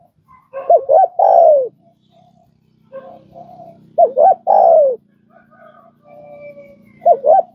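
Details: Training sound for newly caught spotted doves: repeated cooing phrases of quick double hoots and a long descending coo, about every three seconds, over a low steady background hum.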